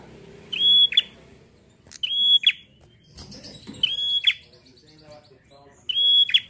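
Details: Bar-winged prinia in energetic 'gacor ngalun fighter' song, meant to stimulate other prinias to sing. Four repeated phrases: a steady piercing whistle closing with a scratchy buzz, with faint background chatter between them.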